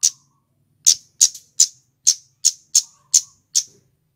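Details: Male scarlet-headed flowerpecker used as a lure to trap birds: about nine sharp, very high clicking 'cit' notes repeated roughly every third of a second over a faint low hum.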